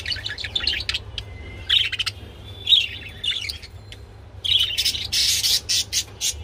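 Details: Budgerigars mating: scattered bursts of scratchy warbles and chirps with brief pauses between them, ending in a run of rough, repeated squawks over a low background hum.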